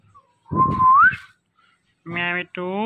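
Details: Indian ringneck parakeet talking: a smooth rising whistle, then two short nasal, harmonic-rich syllables like a spoken word, separated by brief silence, indoors.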